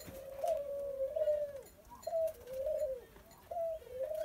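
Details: Young, very tame Barbary dove (Streptopelia risoria) gives soft, low, rolling coos around a steady pitch, several short phrases over four seconds, with faint room noise.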